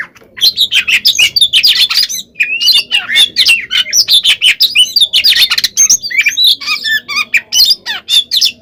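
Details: Fighting song of an oriental magpie-robin used to stir other birds into reply: rapid chains of loud whistles, squawky notes and trills in tight succession, with barely any silence.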